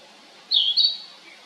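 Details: Narcissus flycatcher giving a short pair of clear, high whistled notes with a slight warble, the second note briefly rising; otherwise quiet surroundings.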